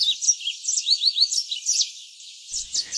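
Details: A wild yellow-fronted canary (Mozambique serin), introduced on Réunion, sings a rapid, melodious, twittering run of high, sweet chirps and slurred whistles, steady for over a second, then pausing briefly before resuming.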